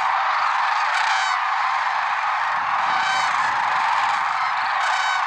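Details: Lesser sandhill cranes calling in the early morning at Merced National Wildlife Refuge on February 6, 2023. A dense, steady roar of a large flock carries rolling, trumpeting calls that stand out near the start, middle and end.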